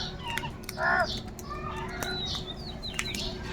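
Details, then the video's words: Crows searching for food: a single short, nasal caw rings out near the start, while small birds twitter with high, thin chirps throughout over a steady background hum. "Crow sound of kaka - Kauwa ki awaaz"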